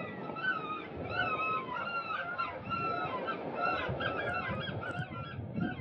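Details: Eurasian oystercatchers screaming loudly while dancing in competing groups to win a partner, some fighting, an older bird biting a younger white-throated one in the wing; dense overlapping shrill piping calls throughout, with low rumbling background noise.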